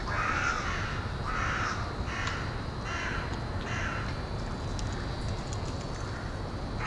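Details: Carrion crows coming in to roost at dusk, 20 February 2013, 17:44, in a university woodland in Hull. A run of five rasping caws, roughly one per second, then quieter, with constant low background rumble.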